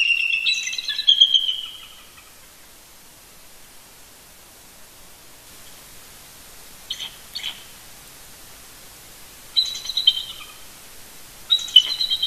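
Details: Pair of eagles, male and female, roosting near their nest at Big Bear Lake, California, chortling together to communicate early on a Sunday morning, 18 November 2018; high, thin chittering bursts, a long opening run, then short bursts near seconds 7, 10 and 12, quiet background.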